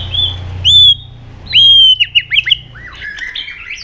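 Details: White-rumped shama in intense provoked fighting song: long high whistled notes, then a quick run of clipped falling whistles ending in a buzzy, scratchy trill over a faint low hum.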